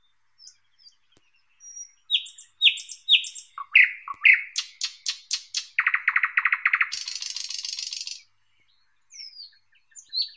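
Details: Thrush nightingale song, varied and loud: repeated clear upslurred notes, a series of hard knocking strokes, then a fast buzzing rattle and a hissing high trill before thin whistles resume.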